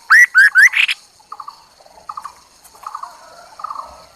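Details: Chinese hwamei decoy: an opening phrase of three loud rising whistles and a rough trill, followed by quiet, low, stuttering chatter notes in short clusters.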